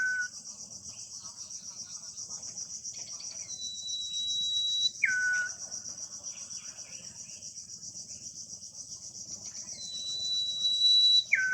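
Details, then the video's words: Common iora singing in the wild beside its nest. Repeated phrases about five to six seconds apart: a sustained pure high whistle, then a quick descending lower note. A steady, pulsing chorus of insects is heard throughout. "Suara dan sarang burung sirtu di alam liar"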